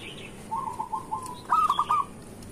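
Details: Local zebra dove song used in the morning to lure and stimulate other zebra doves to sing: a run of soft, quick low coos, then a louder, slightly higher rolling set of coos, with faint background hiss.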